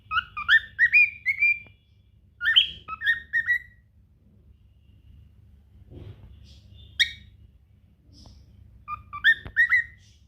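A cockatiel whistles short phrases of bright, warbling notes, with pauses between bursts.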